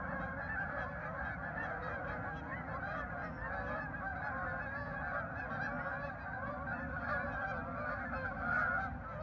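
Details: Farm park geese, recorded 10 November 2024, keep up an unbroken clamour of mid-pitched honks from a large group, with a louder burst near the end and low rumbling underneath.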